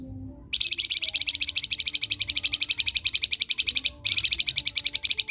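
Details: Flamboyan singing in the ngerok style, recorded as a master for training other birds: a long, fast buzzy trill of evenly repeated high notes, broken by one short pause near four seconds, with low background hum.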